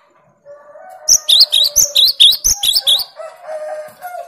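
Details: A cinereous tit sings 'tembakan' to intimidate rivals: a continuous run of clear, high, bouncing paired notes lasting about two seconds, over a steady lower background tone.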